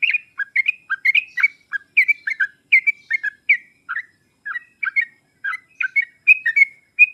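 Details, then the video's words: Lure recording of a Sooty-headed bulbul for coaxing lazy or silent bulbuls to reply: steady stream of short, liquid, warbling phrases, rising and falling notes repeated several times a second, with no other sounds. "pancingan dan masteran trucuk paling cepat di sambar trucuk malas/susah bunyi langsung nyaut"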